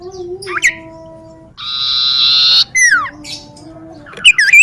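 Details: Common iora in a garden near home, singing actively: a mix of short whistled notes, a second-long buzzy trill, a falling whistle and quick rising-falling chirps at the end.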